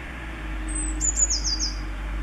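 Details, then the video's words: A single song phrase from a Eurasian blue tit, recorded 10 April 2020: a thin high drawn-out note, two sharp ticks, then a short fast trill of falling notes, with steady low background hum. "Blaumeise ♪♫♪"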